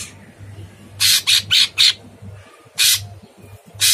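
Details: Sooty-headed bulbul (cucak cungkok), a chattering bird on a masteran training recording for cage birds, described as a very harsh voice: short raspy, broadband bursts, four in quick succession, then two more after pauses, over a low steady hum.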